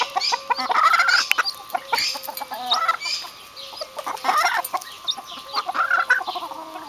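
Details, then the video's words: Vulturine guineafowl clucking and chattering in a loose group, with a rattling, wavering call near the start and scattered sharp chinks; a steady faint hum runs underneath. "vulturine guinea fowls"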